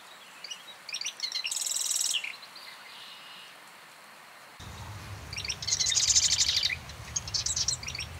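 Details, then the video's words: Two rapid, buzzy Marsh wren trills separated by a quiet gap, each opening with sharp ticking notes. A steady low rumble begins midway through. "Marsh Wren - Song & Call"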